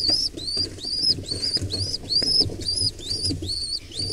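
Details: Wild pigeon nestling under attack by an intruding pair, giving high, thin, arched squeaks repeated roughly twice a second over soft rustling and scuffling.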